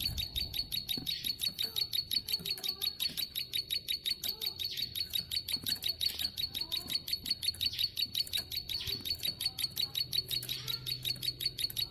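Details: Tame plain prinia singing vigorously in long, sustained bursts: a fast, steady train of sharp, buzzy high ticking notes, roughly three each second, continuing throughout with faint low background rumble.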